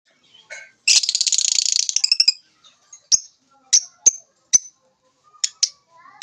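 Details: Lovebirds chirping: a rapid trill of harsh buzzy notes for about a second, then scattered sharp high chirps spaced irregularly, with quiet gaps between.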